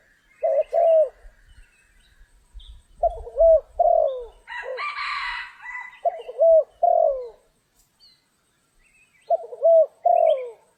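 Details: Spotted dove calling during trapping in rain and storm: paired low coos repeated in four bursts, with a brief burst of higher noisy sound midway and faint low rumbling.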